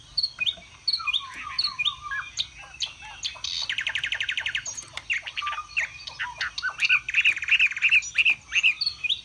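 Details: Caged Chinese hwamei, Vietnam, fanning and singing high-pitched phrases: short whistled motifs, a buzzy rattling burst midway, then a rhythmic series of repeated ringing notes, over a low background rumble.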